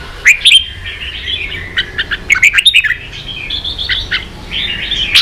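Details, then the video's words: Pet red-whiskered bulbul in a Vietnamese singing contest, lively warbled chirps and bright slurred whistles in rapid sequences, short sharp clicks scattered between phrases. "Chào mào kích đấu căng lửa chơi cực hay"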